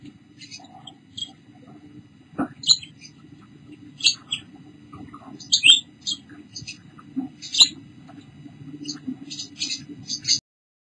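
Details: Pink Bourke's parrot (Neopsephotus bourkii) mother with her two babies, recorded 8 July 2014 at 5:43 pm, giving short, high chirps and squeaky twitters in scattered bursts every second or so, over a steady low mechanical hum.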